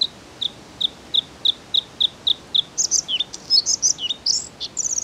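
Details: Bluethroat song: about nine evenly spaced high, sharp notes lead into a fast, varied medley of buzzes, twangy downslurs and scratchy chatter, closing with a thin, high, rattling trill.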